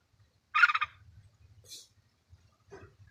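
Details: White-clawed red-whiskered bulbul kept in a cage as a decoy bird: a short, rapid, bubbling warble of pulsed notes, followed by a faint high hiss and soft low knocking noises.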